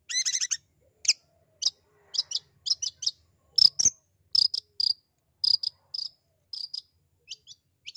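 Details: A long-tailed shrike gives harsh, high, scratchy chattering notes in short bursts, roughly every half second, after an opening rapid rattle. The call is used to lure a shy or reluctant shrike into calling.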